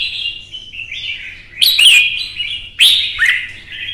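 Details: Red-whiskered bulbul, a Vietnamese cage bird, in a provoked singing contest. Mellow warbling runs into two loud, sharp whistled flourishes with twisting pitch.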